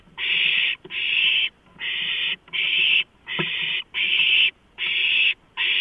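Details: Food delivery of a big rodent to a brood of owlets, March 23 2015; loud grating screeches, each under a second, come in a fast, slightly uneven series with brief pauses.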